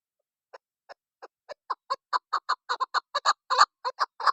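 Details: Female chukar, used by hunters as a lure, starting with soft, widely spaced clucks that speed up and grow louder into a rapid, harsh chuck-chuck run.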